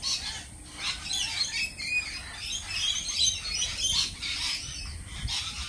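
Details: Lorikeets keep up a constant high, grating chatter with occasional thin whistled notes among the rasping squawks.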